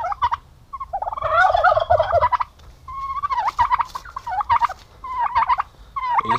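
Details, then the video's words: Domestic turkey males, described as aggressive when kept together, on a turkey-raising farm in Paraná, Brazil: loud rolling gobbles in bursts, one long rattling gobble in the middle, then several shorter gobbled rolls toward the end. "PERU MACHO JUNTOS DA BRIGA"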